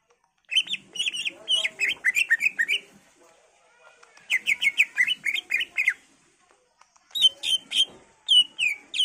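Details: Greater green leafbird in full varied song, meant to prompt other leafbirds to answer, delivering three bursts of quick chattering notes and slurred whistles, each lasting a second or two, separated by short pauses.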